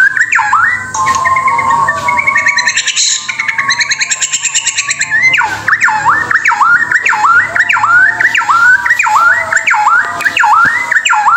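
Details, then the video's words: White-rumped shama from Indonesia. Fast chattering and rattling notes, then a long run of repeated rising, looping whistled phrases, delivered loudly and almost rhythmically about twice per second. "Kicauan Murai Batu"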